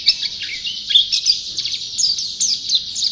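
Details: Pleci white-eye, a champion songbird in full voice, pours out a short burst of high, rapid twittering and sharp chirps with slurred notes, dense and without pauses.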